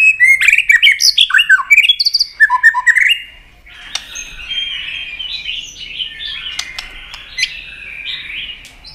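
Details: White-rumped shama singing a fighting song, tail-flicking to provoke a rival: loud burst of varied whistled notes and harsh chirps for three seconds, then a quieter, rambling warble of twittering phrases.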